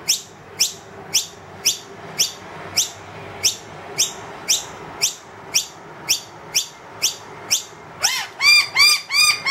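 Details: Wild noisy miner that has led two young into a room calls insistently for food once the feeder is empty. A quickening string of high rising chips ends in a burst of fuller, arched, harmonic-rich notes.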